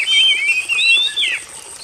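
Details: Oriental magpie-robin, used as a therapy recording to get a silent bird singing again; one loud, clear whistled phrase of sliding, warbling notes, dropping at the end, over a steady high hiss.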